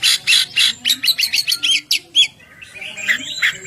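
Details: Oriental magpie-robin in full ngeplong song, used for luring birds and getting them to sing; loud rasping notes, then a fast stuttering series of sharp chips, ending in softer twisting warbles.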